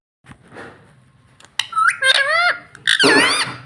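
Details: Pet rose-ringed (ring-neck) parakeet talking, said to say "mummy": a squeaky, speech-like run of bent harmonic syllables, rising then falling, with two loud bursts in a small room.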